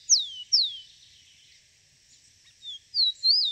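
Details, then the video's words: In the wild, a rufous-collared sparrow ends one song phrase with two bright, falling slurred whistles, pauses about two seconds, then starts again with a short thin note and wavering whistles. "Som do canto do pássaro Tico Tico (na Natureza)"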